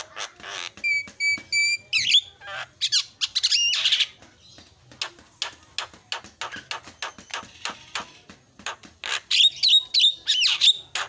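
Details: Javan myna song played to stir other mynas into singing: nasal harmonic notes and squeaky chatter, a long stretch of dry clicking ticks, then clear upward-slurred whistles near the end.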